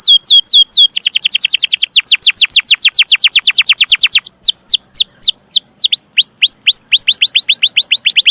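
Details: Master recording of canary song for young canaries: quick falling chirps, a long steady run of descending whistled notes, then varied swooping and forked phrases.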